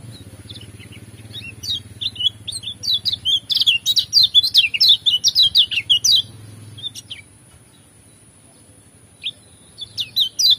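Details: A Lombok Lemon-bellied white-eye sings a fast, varied run of high, sweet chirps and twitters that include other birds' sounds, pauses, then resumes; a low engine hum sits underneath; used as a tutor song.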